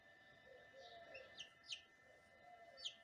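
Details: A newly hatched chick inside a small incubator gives four high, thin, downward-sliding peeps, unevenly spaced over three seconds, against a steady mechanical hum.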